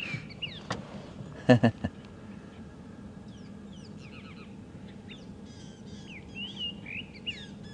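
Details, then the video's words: Two drongos mimicking other birds, one imitating a white-browed scrub robin (poorly), on a sunrise safari drive: thin, bright whistled notes and short sweeping slurs scattered through, with a few loud thumps and a low vehicle hum. "okay now the two birds that you can hear that are both drongos imitating other birds"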